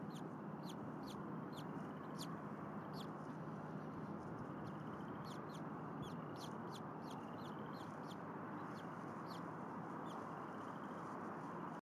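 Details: Newly hatching bald eagle chicks in a nest at Berry College, Rome, Georgia, on an afternoon in February 2021. Soft, high-pitched peeps come in short bursts and scattered singles, partly buried under constant rushing background noise.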